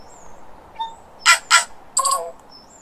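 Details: Tui from New Zealand, said to have two voice boxes. Three loud, harsh, rasping bursts are set among thin high whistled notes, with quiet gaps between them.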